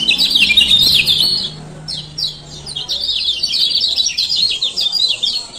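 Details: Male lemon-bellied white-eye from Lombok in rapid 'ciak ciak' calling used as a lure; a loud opening burst of high chirps, a short lull, then renewed fast twittering, with a faint low tone early on.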